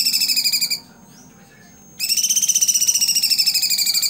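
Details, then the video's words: Blue-winged leafbird (cucak cungkok) in 'tembakan' song, a tutor recording for cagebirds: a burst of rapid ringing notes, a one-second silence, then a longer fast, slightly descending chattering phrase. "CUCAK CUNGKOK TEMBAKAN ISTIMEWA"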